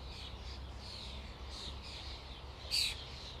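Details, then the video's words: Common starlings in a flock make a soft, steady chatter of high squeaks and buzzes, and one sharper, louder call stands out near the end over a faint low hum. "Flock of starlings/ Stado szpaków/ Ein Schwarm Stare"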